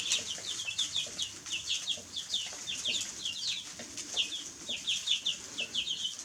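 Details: Baby chicks chirping in bursts of quick, piercing, descending peeps, the group chorus swelling and dipping but never stopping over six seconds.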